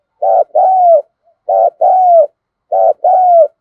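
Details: Decoy spotted dove cooing to lure wild doves into calling, in the local thổ voice style: three mellow two-part phrases, a short throbbing note then a longer note sliding downward, repeated about every 1.2 seconds.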